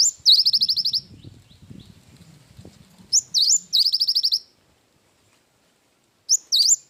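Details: Cinereous tit giving isian wingko song, a high whistled swoop and fast trill phrase repeated three times, with soft low shuffling noise early on.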